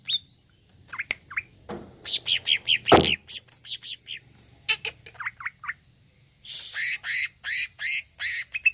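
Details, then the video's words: Greater green leafbird song, played to provoke a kept bird: varied loud whistled notes, downslurred and looping phrases, sharp clicks and harsh bursts, over a low background hum. "HANYA PLAY CUCAK IJO INI UNTUK PANCING EMOSI IJO ANDA"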